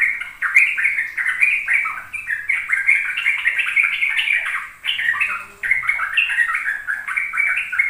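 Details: Sooty-headed bulbul giving a fast ropel song meant to coax young birds into singing. Dense, rolling strings of bright warbled notes go on for several seconds, with two brief pauses splitting the phrases.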